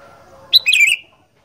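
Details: A single quick, liquid warbled phrase from a sooty-headed bulbul in "gacor fighter" singing style, over a low steady background hum.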